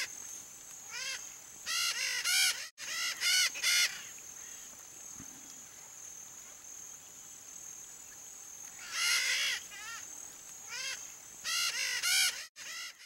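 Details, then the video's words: Red-shouldered macaw, a Brazilian bird, giving harsh, grating screeches in short bursts of three or four calls, separated by pauses of several seconds, over a steady high-pitched insect-like whine. "MARACANÃ-PEQUENA canto (DIOPSITTACA NOBILIS), RED-SHOULDERED MACAW"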